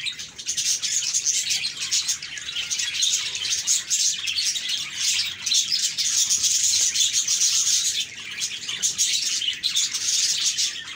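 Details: Cheerful budgies calling in chorus: constant high-pitched chirping and chattering warble from many birds, thick and even throughout with brief louder bursts.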